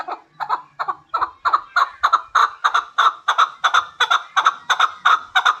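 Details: Hybrid chukar partridge calling: a loud run of harsh, clucking chuck notes repeated about three times a second, steady and rhythmic, with little else heard.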